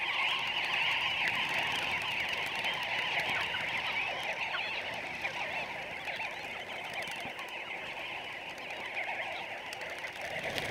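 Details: Namaqua sandgrouse (Pterocles namaqua) with other birds in a dense, steady chorus of overlapping chattering, gurgling calls, several per second, with no pause; sandgrouse fly up to 30 km to soak feathers with water for nests in sand dunes.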